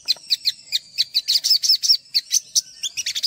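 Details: Quick sequence of high, sharp chips and short whistled notes from an olive-backed sunbird, spaced a fraction of a second apart, used as masteran training song.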